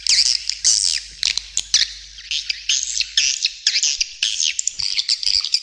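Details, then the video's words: Edible-nest swiftlets in a lure recording that includes roosting sounds said to have drawn birds to nest: shrill squeaky twitters and downslurred chirps in bursts, with scattered dry clicks between them. "Suara Panggil Burung Walet SP RATU WALET By SWT , Swiftlet Calling Sound"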